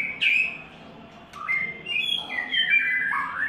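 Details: A white-rumped shama in its third molt gives a few sharp whistled notes, then a pause, then a rising and falling string of clear whistles, with a soft hum underneath.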